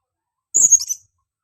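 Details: Very high, shrill call of a female blue-crowned hanging parrot used to lure other birds: a single thin note falling into a brief trembling tail, about half a second, in otherwise silent surroundings.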